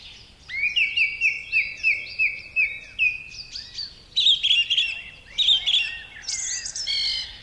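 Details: Song thrush (Turdus philomelos) singing, a garden bird: one clear whistled note repeated about eight times in quick succession, then higher, shriller phrases each given twice, with strident, far-carrying, full-whistled tone; no other sounds.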